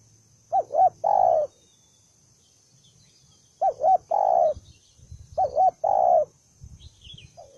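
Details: Aggressive, combative wild spotted dove (bổi, đồng son type) calling: phrases of two short wavering notes then a longer low coo, repeated about every two and a half seconds, with faint other birds chirping.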